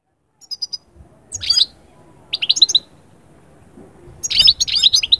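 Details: European goldfinch song played to bring moulting birds into summer breeding mood: short bursts of bright twittering and buzzy chirps, separated by brief pauses, with quiet stretches between phrases.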